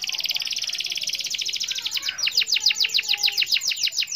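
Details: Rolling canary song for calling a rival: a dense high buzzy trill for over two seconds changing into a steady chain of rapid downswept notes.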